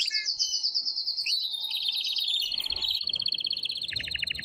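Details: Male canary singing in breeding excitement to urge a female to mate: a long fast high trill sliding lower, then a steady rolling trill and a final buzzy series.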